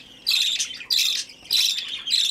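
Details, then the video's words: A budgerigar chick being hand-fed begs with four long, loud, buzzy rasping calls, each about half a second, in close succession. "Выкармливание птенца волнистика"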